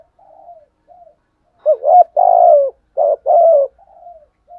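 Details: Spotted dove coo phrase with a deep thunder-like tone: soft quiet coos lead into a loud run of four hoarse notes, the second long and falling, then soft coos trail off.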